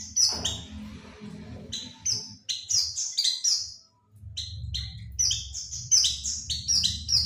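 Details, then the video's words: Oriental white-eye lure call to attract birds: quick high chirps in uneven bursts separated by a short pause, with a low rumbling hum underneath. "suara pancingan burung pleci"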